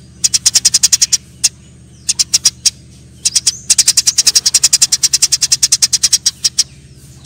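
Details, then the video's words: Eurasian tree sparrows fighting: bursts of rapid high chirping that run into a long unbroken chatter, with a constant low hum beneath. "suara burung gereja TARUNG !!"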